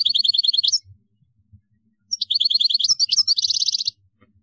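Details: European goldfinch, caged, singing in kadouss style from Algeria: a short run of fast, even high trilled notes, a gap, then a longer phrase of repeated trills ending in a buzzy rattle.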